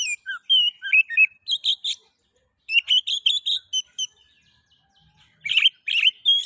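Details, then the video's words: Song of an Oriental magpie-robin, played to get other magpie-robins singing: fast runs of sharp chirps and whistled notes, a brief gap, then more rapid chirping and a rough burst. "Pancingan kacer ngeplay...cocok untuk merangsang bunyi kacer"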